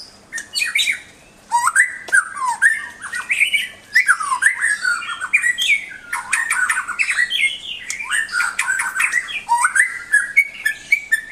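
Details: Pet white-rumped shama singing as a tutor for other songbirds, a dense, varied run of loud whistles, harsh squawky notes and rapid chattering phrases, with brief pauses, indoors.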